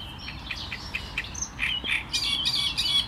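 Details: Softer clicking notes from a Great reed warbler build into louder, rasping repeated phrases toward the end of the short strophe.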